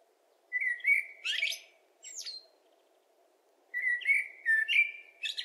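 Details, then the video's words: Common blackbird (Turdus merula) singing: rich fluting warbled phrases around the middle-high range, a first phrase ending in a squeaky flourish, a short high note, then a second longer warbling phrase after a pause, over a steady low hum. "Zozoa (Turdus merula), kantua"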